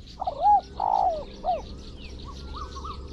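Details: Spotted dove used as a decoy to lure wild doves into a pen trap in Thailand: three low cooing notes, the middle one long and slurred, with high insect buzzing throughout and faint higher trilled notes afterwards.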